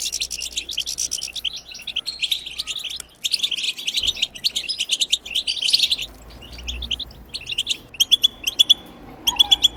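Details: European goldfinch bitbita khalawiya for encouraging goldfinches to sing; fast twittering runs with pauses, ending in sparse, clear, repeated sharp notes over a faint low hum.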